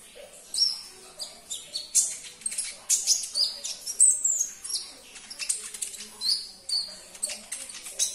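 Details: Sunbird (konin) song played to provoke a silent caged bird into singing: rapid, high, thin chirps and sharp sweeping whistles in quick bursts throughout, with some loud notes standing out.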